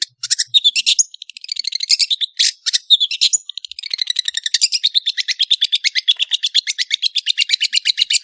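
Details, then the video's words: Lively long-tailed shrike song: scratchy chattering phrases and buzzy notes flow into a long, steady, rapid trill of evenly spaced notes lasting several seconds, clean and without background noise. "MASTERAN BURUNG CENDET GACOR"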